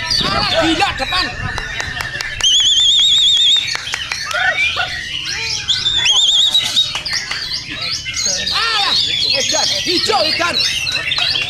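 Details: White-rumped shama contest-training song: rapid clicking ticks, then a long wavering whistled trill, later repeated more softly, interspersed with varied squeaky chirps and slurred notes over steady busy chatter.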